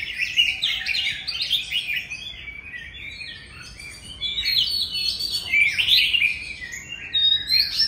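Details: Old forest-caught Oriental magpie-robin singing loudly: a rich, continuous jumble of varied whistles, trills and scratchy notes, a brief softer stretch midway, then further bursts ending in a rising high whistle.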